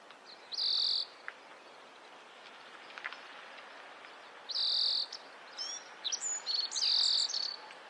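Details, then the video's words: Oriental greenfinch, a breeding-season male in a Hokkaido neighbourhood, Japan, recorded with a Nikon COOLPIX P950: three loud, high, buzzy drawn-out notes about two seconds apart, interspersed with short twittering chips, over a steady quiet hiss. "カワラヒワの鳴き声（さえずりと地鳴き） / Oriental Greenfinch bird call and sound"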